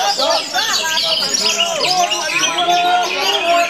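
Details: A captive orange-headed thrush, a song-contest bird, sings a loud, rich, continuous run of varied whistles, trills and chattering notes, packed densely with hardly a pause.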